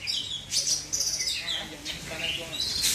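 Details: Oriental magpie-robin in South Aceh, Indonesia, giving a quick string of piercing whistles and a few falling slurs. Faint low voices are heard underneath.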